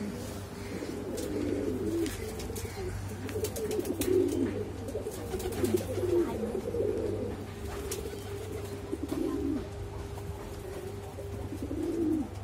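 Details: Exhibition Homer and Shiraji pigeons giving boom calls: low, throaty cooing phrases that swell and fade every two seconds or so, over a steady low hum and faint knocking in the background.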